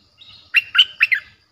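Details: Song of a streak-eared bulbul played to attract wild birds: a quiet buzzy lead-in, then four loud, liquid, slurred notes delivered rapidly within under a second.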